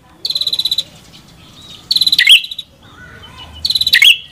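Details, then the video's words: Prenjak kepala merah singing: a buzzy, rapidly pulsed high trill followed by a sharp, bright chip. Three phrases come in about four seconds, with a faint low rumble underneath. "Suara Burung Prenjak Kepala Merah"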